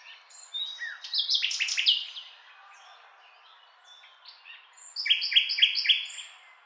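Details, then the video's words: A common nightingale delivers a loud churring rattle, falls quiet for about two seconds, then returns with rapid repeated chirping notes at a steady beat. "Beautiful Nightingale Singing"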